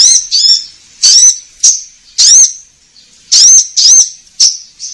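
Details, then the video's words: Orange-headed thrush singing vigorously, used as a lure to prompt caged birds to sing: loud, high, bright whistled and squeaky phrases in separate bursts about every half second to second, with short gaps between. "Pancingan Konin Gacor Langsung Nyaut"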